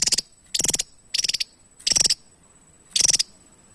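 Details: Active Javan tesia: five evenly spaced, short bursts of rapid, buzzy, high-pitched pulses, roughly one every 0.7 seconds, against a quiet background.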